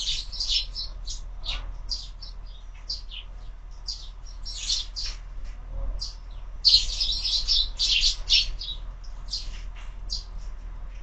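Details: Sparrows at a window-mounted feeder in the morning, several birds giving short bright chirps in irregular bursts, busiest around the middle, with a low background hum.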